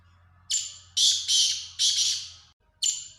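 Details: Black francolin (kala teetar) calling: a run of loud, harsh, grating notes, four bursts close together and then a fifth after a short pause, with a faint low hum underneath.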